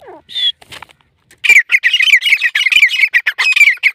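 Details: Black francolin calling, a fast run of harsh, scratchy, repeated notes following a few scattered chirps and squawks at the start.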